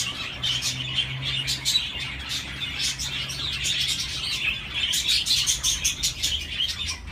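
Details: Budgerigars chattering in a dense high warble of clicks, chirps and buzzy notes, many birds overlapping; a faint steady low hum runs beneath the first half, and the chirps grow more pulsed toward the end.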